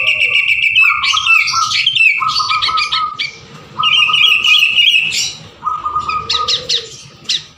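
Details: Lively sooty-headed bulbul singing, used to stimulate other birds into song: bursts of chattering notes and whistled phrases broken by brief pauses, over a sustained mid-pitched tone and low hum.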